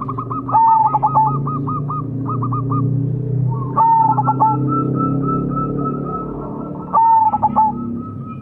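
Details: Zebra dove of the Majapahit perkutut type singing as a lure to prompt quick song; three bursts of a sustained whistled note breaking into rapid stuttering coos, with a softer second dove's clipped coo series and a steady low hum beneath.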